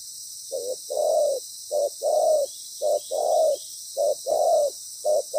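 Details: Loud spotted dove decoy with good voice used for ground-bait trapping; repeated couplets of a brief coo followed by a longer, fuller coo, regular rhythm, soft constant hiss.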